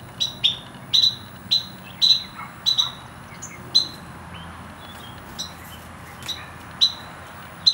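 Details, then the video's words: Carolina wren nestlings, in a nest in a hanging strawberry planter and fledging about 12 days after hatching, give short, high, sharp chirps in quick irregular bursts, roughly one or two a second, over a steady soft hiss. "Baby Birds Baby Wrens"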